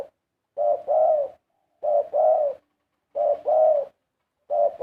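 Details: Large spotted doves singing a melodious 'karom'. Regular two-note coo phrases, each a short coo and a longer sustained one, repeat about every one and a third seconds, four phrases in all.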